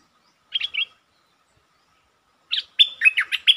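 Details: Streak-eared bulbul lure song from 13 February 2023, with long and doubled phrasing: a short chirpy burst, a pause, then a longer rapid string of bubbling, warbled notes.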